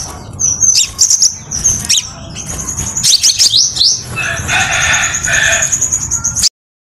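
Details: Crimson sunbird song used as a lure and as a model song for training. Very high, thin notes form fast sharp twitters and long trills. A buzzy lower hiss comes in near the end.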